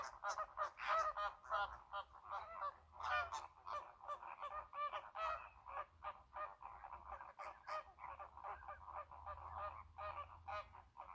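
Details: American flamingos at the Lagunska ribogojnica nature reserve on 4 January 2024 keep up a dense, goose-like gabble of nasal honks, many birds calling over one another without pause, over faint low wind or traffic rumble.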